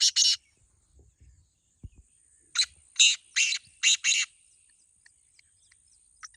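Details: Harsh, scratchy calling of a black francolin, one of two contest birds: two quick notes, a pause with soft knocks, then five rasping notes in rapid series over a steady high hiss.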